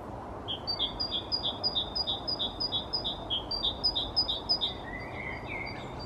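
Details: A parent great tit, feeding young in a natural nest cavity in a maple tree in Helsinki, Finland, in May 2024, leaves the nesthole and bursts into zestful song: a fast, bright two-note phrase repeated about a dozen times, then a few softer, lower notes over steady hiss.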